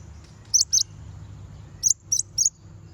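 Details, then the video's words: Konin chirping to call out and provoke a rival bird: a pair of piercing high notes, a pause, then three evenly spaced thin chirps, heard over a soft low hum. "Konin bunyi manggil lawan"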